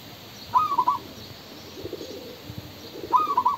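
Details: Male spotted dove: two phrases of four soft coos, the notes stepping slightly, separated by quiet low rustling and murmuring.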